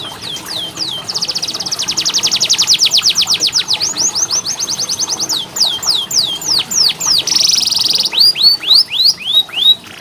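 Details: Canary song as therapy for birds slow to sing: brief falling notes, then a long even rattling trill of sweeps, a buzzy roll and closing rising chirps.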